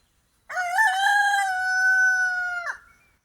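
A rooster gives a single long crow, starting with a brief rising break and then holding one strong, steady note for about two seconds before it cuts off.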